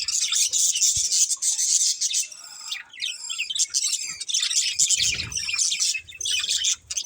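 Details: Budgerigars from a breeding pair produce fast high chirps, with quick rising and falling squeaky notes in rapid series. A low thud comes around five seconds.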